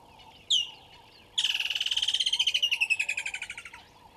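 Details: Water thick-knee recorded at 09:09 on 25 December 2021 at Gowrie dam, Djuma Game Reserve, Sabi Sand Wildtuin, South Africa: one sharp high whistle, then a loud pulsing run of about thirty quick piping notes that gently fall in pitch and fade, with soft lower calls behind.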